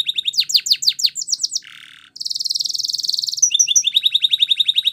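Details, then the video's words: A Belgian canary, presented as a Spanish Timbrado champion training song, sings rapid, high, down-slurred notes, a brief low buzz and a long metallic trill, ending in fast rolling chirps about four per second. "Spanish Timbrado Song"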